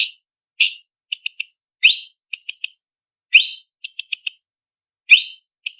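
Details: Blue-winged leafbird (cucak cungkok) master song in sharp 'tembakan' style for training contest birds: upswept whistles alternate with stuttered groups of three or four very high chips, phrases every half second to second, no background noise.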